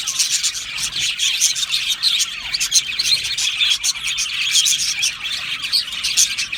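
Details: Aviary colony of budgies in a busy chorus of bright, overlapping chirps and warbles, sharp high tweets and clicks, steady and unbroken with no pause.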